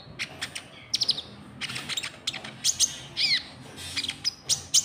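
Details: Lure sound of a white-cheeked bulbul for attracting rival birds: clusters of rapid, high, sharp chirps and short twittering bursts with a few falling notes.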